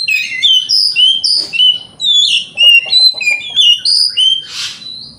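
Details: Morning song of a white-rumped shama meant to provoke rival birds: a steady string of clear, sweet down-slurred whistles, about two per second, ending in a harsh rasping burst.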